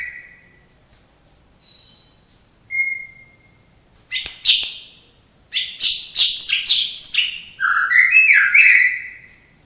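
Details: Kept white-rumped shama singing with imitations of other birds, among them sparrow, lovebird and canary. A few scattered whistles give way to a rapid run of sharp chirps and bright, sliding whistled notes.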